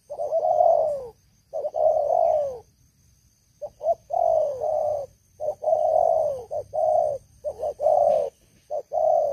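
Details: A loud-voiced spotted dove used as a trapping decoy coos in sequence. Long mellow notes drop in pitch, with quick short notes between them and brief pauses.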